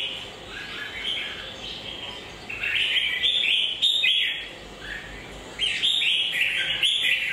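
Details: Red-whiskered bulbul singing short, bright warbled phrases, bubbly and slurred, rising and falling, given in quick bursts with brief pauses between them; a steady background hiss throughout.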